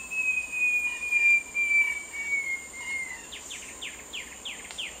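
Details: Song of a short-tailed babbler: one sustained pure whistle gently falling in pitch, followed by quick downslurred notes repeated roughly twice per second, with constant insect buzzing behind.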